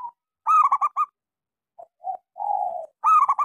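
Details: Local zebra dove with a small voice, a lure song to prompt doves that have stopped singing: two bursts of stuttering, rolling coos with a few soft single notes and one longer hum between them.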